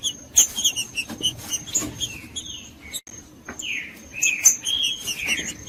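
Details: Green-winged saltator song for warming up birds to sing: scattered short notes, then a rich phrase of falling and level whistles in the second half, with sharp clicks and a faint high background tone.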